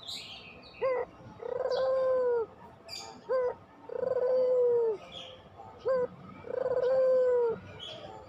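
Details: Lure recording of a pelung puter dove: a short rising note, then a long level coo opening with a rapid pulsing roll. The pair repeats three times at steady intervals while small birds chirp high in the background.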